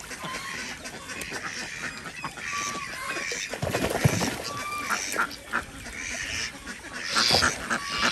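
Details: Desi ducks on a village farm in Andhra Pradesh during morning egg collection, giving harsh, honking quacks in scattered bursts over a busy, noisy farmyard background.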